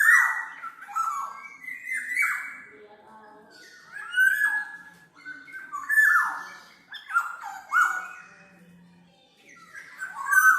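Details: Black-naped oriole recorded as a training and lure track: repeated phrases of liquid whistles mixed with raspy sliding notes, coming in loud bursts every couple of seconds with softer gaps between.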